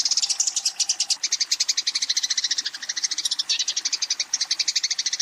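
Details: Eurasian tree sparrow in a fight calling a rival: a continuous, rapid run of high, sharp chirps, dense and even throughout, with small shifts in pitch and pace.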